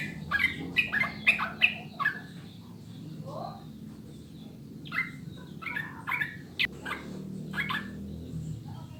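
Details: Sooty-headed bulbul song played to prompt caged birds to sing. A quick bubbly run of notes opens, followed by scattered lower notes and then more spaced whistled phrases, with low background hum.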